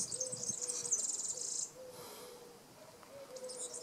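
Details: European serin at Praia do Vau, Algarve, Portugal, recorded while digiscoping, delivering a rapid high-pitched sizzling jingle for over a second, then a brief second burst, with soft low repeated notes from another bird behind.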